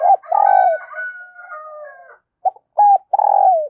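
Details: Spotted dove kept as a decoy, cooing at daybreak to attract wild doves. Its long buzzy coo overlaps a steady thin higher whistle at first. Clipped, rising and long falling coos follow.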